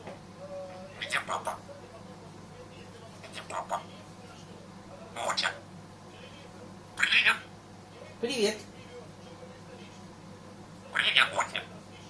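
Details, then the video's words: A pet grey parrot named Motya (2012) imitates a man's (dad's) coughs and sneezes and speaks short words in bursts every few seconds ("kaka", "I love grandpa"), with bright broadband hisses and voice-like tones. "Попугай жако Мотя - 2012 кашель и чих, кака, люблю деда"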